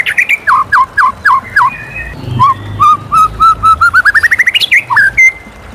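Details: A white-rumped shama sings in the morning: a string of downslurred whistles, then an accelerating series of short rising notes climbing in pitch, ending with a sharp upslurred whistle; soft hiss underneath.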